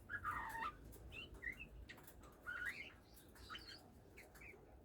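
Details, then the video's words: Oriental magpie-robin just starting to sing, kept as a hobby bird: short bright whistled phrases with a warbled note near the start and scattered brief chirps over a soft background hiss. "kacer mulai bunyi"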